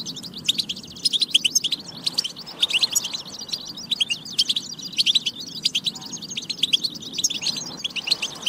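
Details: Goldfinch song for encouraging goldfinches to sing: busy, rhythmic high chattering with many evenly spaced loud chirps throughout, tinkling and slightly buzzy, over a steady faint low hum.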